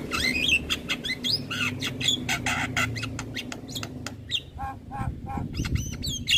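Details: Black-winged starling song used as training material for young starlings: a busy run of harsh squawks, chattering notes and rising whistled slurs, packed with rapid clicks, over a low steady background hum.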